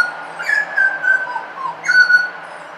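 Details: Butcherbird singing in suburbia: two phrases of pure, flute-like whistles, each opening with a short rising slur then holding a steady mid pitch, about 1.5 seconds apart, over a faint low hum.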